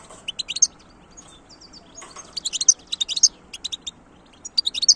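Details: Wild goldfinch in 2022 singing lively, tinkling twitters: a short opening phrase, then a denser run of rapid bright notes and a final burst, quiet background.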